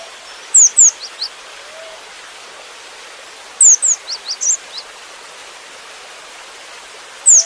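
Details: Cinereous tit song with varied fills: phrases of crisp, high, descending whistles and short chips, repeated about every three seconds against a soft background hiss.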